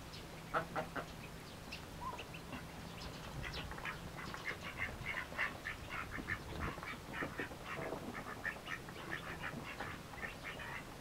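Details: Eagerly feeding Mallard ducklings keep up a dense, continuous chorus of thin high peeps, many birds calling over one another, with a faint steady low hum underneath.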